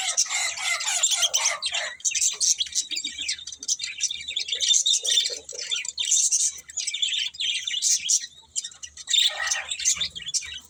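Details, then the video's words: A flock of budgies chirps continuously, high scratchy warbles and twitters overlapping in waves for about ten seconds. "Cute Budgies Chirping Sounds"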